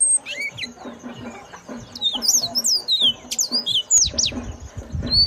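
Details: Yellow-fronted canary, described as having a loud, characteristic voice, sings a run of sharp, high chirps and swooping whistled notes in short bursts. Low thumps and rustling sound underneath.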